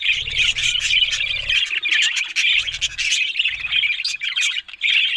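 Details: Australian parrot budgies warble steadily with scratchy chirps and clicking notes. Intermittent low humming sits beneath the chatter.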